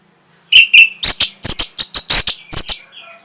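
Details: Song of the orange-headed thrush, meant to stimulate breeding and prompt an answer. Two short whistled notes lead into a fast run of about nine loud, harsh, scratchy chirps over roughly two seconds, then a faint trailing twitter.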